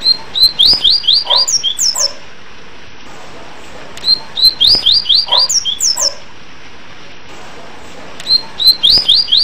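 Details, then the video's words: A rusty-collared seedeater (coleiro baiano) sings a bright, high song: quick runs of whistled, down-slurred notes, then a few buzzy trills, with the phrase repeating about every four seconds over soft background hiss. "Canto De Coleiro Tui Tui Apito"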